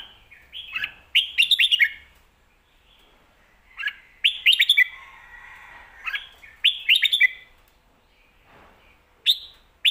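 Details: Caged competition red-whiskered bulbul switching between lak wai and mae bot song styles. It gives five loud chirpy phrases of rapid, rising and falling whistled notes, spaced a few seconds apart, with quiet gaps between them.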